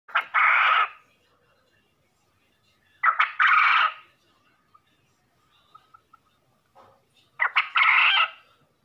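A quail gives three harsh, rasping bursts, each about a second long, spaced three to four seconds apart, with faint clicks between them.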